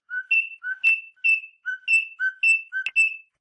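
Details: Rosella whistles clear two-note phrases, a lower note then a higher sustained one, repeated about every half second in a bright, ringing sequence; a call meant to stimulate mating.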